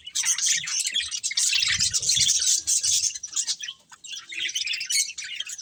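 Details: Budgerigars eating and chirping, a steady flock chatter of rapid high, scratchy notes with several loud surges and soft low thumping in the background.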